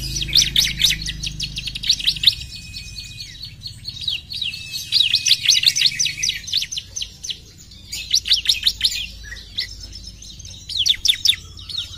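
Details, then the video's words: Bar-winged prinia singing in quick chattering bursts of sharp, high, downward-sweeping notes, several runs separated by short gaps, over a faint steady tone and low background rumble. "PUTAR SBENTAR CIBLEK AUTO NYAUT!!"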